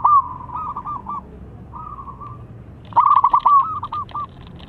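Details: Local zebra dove singing a long song used to draw lazy birds into singing: soft stuttered cooing phrases, then a loud rapid burst of rolling coos ending in several spaced notes, faint chirps above.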